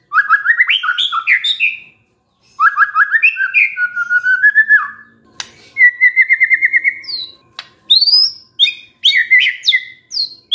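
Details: White-rumped shama singing in response to a lure recording: bursts of rapid whistled notes, a long even trill, then sharp varied whistles and high swooping notes, with brief pauses between phrases.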